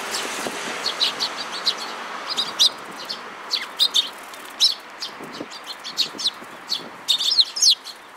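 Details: Sparrows, adults and young together, 19 May 2018: busy overlapping high chirps and short twittering notes in irregular bursts, growing denser toward the end.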